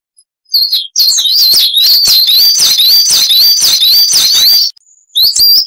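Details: Coal tit recording for tutoring cage birds, here a continuous high twittering: wavering, whistled notes rise and fall rapidly for about four seconds, then a short pause and a final sharp phrase.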